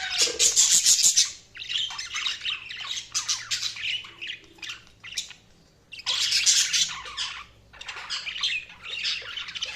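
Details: Budgies giving rapid high chirps and squeaky warbling chatter in two main bursts separated by a quieter lull.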